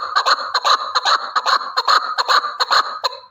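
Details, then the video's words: A lone male partridge makes a loud, tight chatter of clucking notes packed closely together for over three seconds, then ends abruptly. "Овози кабки нар Голос Куропатка صوت الحجل Partridge's voice صدای کبک"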